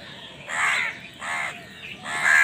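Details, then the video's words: Crows fighting over food: three harsh, drawn-out caws about half a second each, spaced roughly evenly, with a quiet background. "Crow Bird Crowing Sound || Crow ki Awaz part 68 || Crow Bird Fight for Food"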